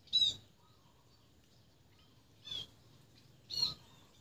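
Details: Sparrows calling: three short, sharp high chirps, the first loudest, then two more at about 2.5 and 3.6 seconds, over a quiet background.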